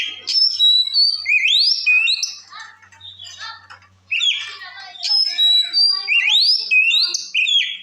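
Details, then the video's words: White-rumped shama singing a "ngeplong" song to stir up rival shamas: repeated whistled phrases with steep rising sweeps and sliding notes, a softer middle section of scratchy chatter, then loud sweeping phrases again. "Suara Kacer Gacor Ngeplong Ampuh Memancing Emosi Kacer Lain - Pancingan Kacer"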